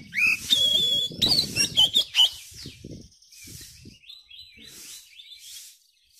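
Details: Oriental magpie-robin tutor song meant to coax young birds into singing: a quick string of bright whistled and chipped notes with some low rustling, fading into soft, distant chirps.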